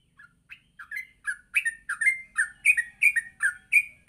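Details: A yellow-vented bulbul sings gacor at morning, a lure for training bulbuls to ngropel. Soft scattered chirps build into a fast, continuous run of bubbly, rising and falling notes.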